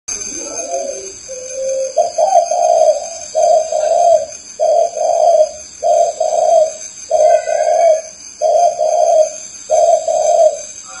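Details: Spotted dove giving a long series of low, soft coos. Each phrase has two or three hollow notes, and the phrases come about every 1.2 seconds in a steady rhythm. A constant high electrical whine sits in the background.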